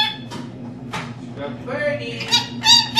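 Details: Captive female lorikeet talking indoors, her learned phrases coming as quick, scratchy, chattering syllables that grow louder toward the end, with a constant low electrical hum behind.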